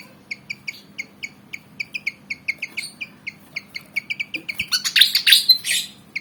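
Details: Eager to fight, a black and white Javan fantail delivers a long even run of short bright chirps, about three a second, before a loud dense twittering burst.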